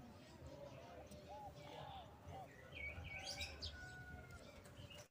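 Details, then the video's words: Bangkok zebra dove (perkutut bangkok), used as a lure to call rivals, gives soft, mid-pitched cooing notes in short rolling phrases; higher chirps from other small birds and a low background rumble. "Suara burung perkutut bangkok memanggil lawan paling ampuh untuk pancingan"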